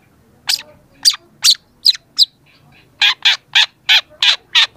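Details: Young long-tailed shrike in full song for training use: five sharp, evenly spaced chips, a short pause, then a faster string of seven broad, harsh, rasping notes in steady rhythm.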